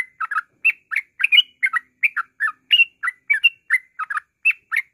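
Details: Yellow-vented bulbul singing in ngropel style for use as a singing lure: brisk babbling of short, husky whistled notes in quick bursts, several per second, against a silent background.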